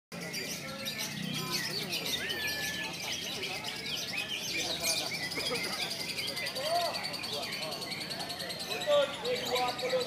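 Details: Lovebird singing in the konslet style, described as clear and long: a dense, continuous stream of rapid high chirps and twittering notes without pauses, with faint lower chatter underneath.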